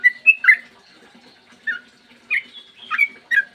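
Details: Sooty-headed bulbul in long ropel song, used to lure other bulbuls into singing, here heard as sparse bursts of clear whistled notes separated by short gaps, with a faint hum behind.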